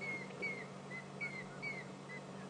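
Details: A large flock of African grey hornbills mobbing a raptor, unhappy at its presence, gives thin, falling whistled notes overlapping about twice a second, over a steady low engine hum, on a late-May afternoon.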